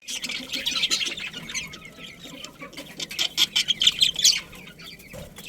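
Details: Budgerigars of a breeding colony chattering together: dense bursts of high, scratchy chirps and warbles, loudest around the first second and again past the three-second mark, with quieter stretches between.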